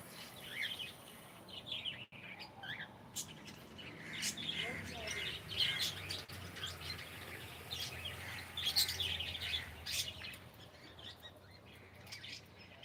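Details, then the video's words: Cockatiel kept as a pet, reportedly greeting with good morning; a run of quick high chirps and warbled syllables in irregular bursts, with clicky broadband ticks and low background hum. "ShonaTheCockatiel is saying gud morning"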